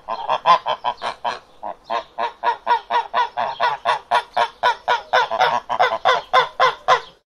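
Domestic ducks give a rapid run of loud, nasal quacks, about four every second.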